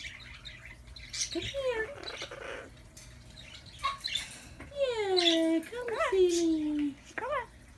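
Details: Chatty pet Amazon parrot talking in a room, mixing quieter mumbled syllables with clearer drawn-out, gliding speech-like phrases that slide downward, followed by a few short rising chirps near the end.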